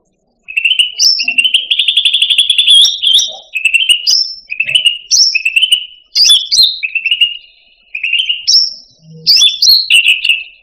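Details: Masteran recording of cucak rante song for training caged songbirds: a loud, continuous stream of fast trilled whistles, rattling buzzy runs and abrupt higher upslurred notes, barely pausing across ten seconds.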